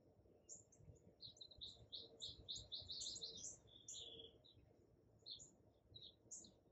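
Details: At a feeder, a hummingbird recorded in the morning on an iPhone 11 mounted on a tripod gives a quick, excited run of high squeaky twitters, then slower scattered chips, over a faint background hiss.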